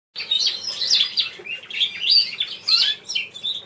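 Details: Variegated buff Border canary cock, a champion show bird, singing a fast warbling song of bright twittering phrases with short trills and whistled notes. Bursts come roughly every half second, with brief dips between phrases.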